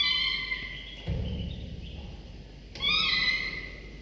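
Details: Falcon nestlings aged 24–25 days, fed prey by their father at the nest in the morning; a whining cry, a dull thump and rustle, then another sharp strained cry starts suddenly.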